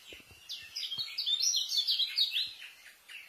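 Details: Fast 'speed' song of a white-eye, densely filled, offered as a tutor for new white-eyes; a continuous run of high, quick, slurred chirps lasting about two seconds, with faint low thumps underneath.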